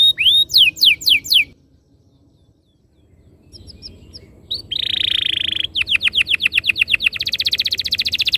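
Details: Master canary song meant to trigger other canaries into a long rolling song: a burst of rapid descending notes, a silent pause, then a dense buzzy trill and quick repeated rolling notes growing faster.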